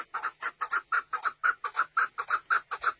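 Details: Chukar partridge repeating a steady, rhythmic chuck-chuck pattern, paired notes about four per second, mid-pitched and evenly spaced throughout.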